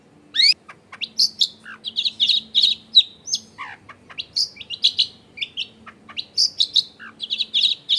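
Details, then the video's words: Singing long-tailed shrike, recorded as a lure to set other shrikes off, at a home in a densely populated area: a busy medley of chirps, downslurred whistles and scratchy chatter in quick bursts throughout, faint steady hum. "SUARA CENDET GACOR PIKAT AMPUH BIKIN BURUNG CENDET LAIN LANGSUNG ON DENGAN MUDAH NYAUT GACOR DOR"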